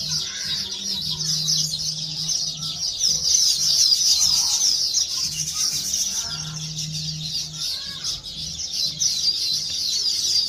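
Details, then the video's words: Sparrows at woven nests after laying eggs, chirping while collecting food: a dense, continuous high chatter of many overlapping rapid chirps, with a steady low hum underneath. "Chirping sounds of birds"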